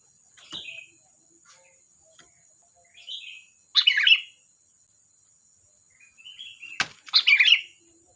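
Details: Sooty-headed bulbul singing: soft whistled notes building to two loud, bubbly warbled bursts, one near the middle and one near the end, with a sharp click and a persistent thin high hum.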